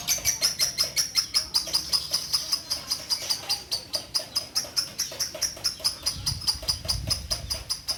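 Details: Orange-bellied leafbird of the Bio Green type, a widowed female in a cage at a bird farm that sings almost nonstop. A long stream of sharp, high, ringing notes repeats about two to three times a second, with a thin sustained whistle above.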